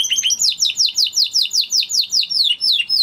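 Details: Singing Spanish Timbrado canary of the original breed, delivering a steady series of bright, sharply downslurred metallic notes, about two per second, clear and strong against a quiet background.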